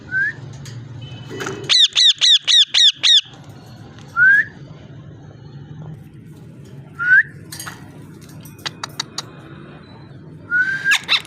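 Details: Parrot giving a run of six rapid, looping whistled notes, followed by separate rising whistles every few seconds and sharp clicks in between, over low background hum.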